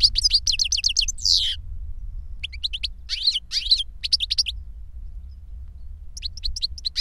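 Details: European goldfinch song from a trained tutor bird and its young pupil in cages: a fast run of repeated sharp chirps, then scattered twittering bursts with quiet gaps between them, steady low background hum.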